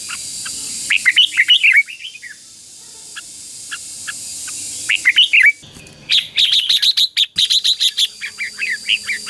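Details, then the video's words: Ché-style fighting song of a red-whiskered bulbul, meant to lure wild birds and stir up a trained decoy bird. Bright, quick whistled phrases come in bursts, ending in a dense run of sharp chirping notes. "CHÀO MÀO HÓT GỌI BỔI CHÉ CĂNG ĐÉT QUÁ HAY - KÍCH CHIM NHANH CĂNG LỬA"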